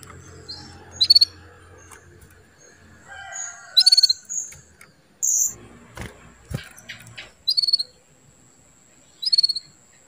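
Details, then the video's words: Female canary calling to bring a male into breeding condition, giving short bright pulsed chirps repeated roughly every two to three seconds, with scattered clicks and soft background knocks between calls. "CUITAN KENARI BETINA MEMANCING BIRAHI JANTAN JADI CEPAT GACOR"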